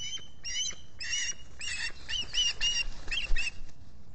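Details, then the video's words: Osprey squawking at the Salt Point nest in New York's Finger Lakes, US, on a July 2021 morning, filmed by a solar-powered nest camera: a run of short, harsh chirps repeated about twice a second over low background rumble. "Olan squawking"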